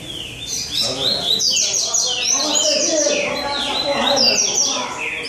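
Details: Several rusty-collared seedeaters compete in song at a São Vicente tournament, pouring out rapid chains of bright whistled notes and slurred chirps that overlap continuously, while people talk in the background.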